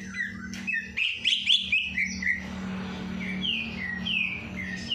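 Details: Caged songbird singing after its night bath: a burst of rapid chirps and twittering, then a run of separate descending whistled slurs, over a constant low electrical hum.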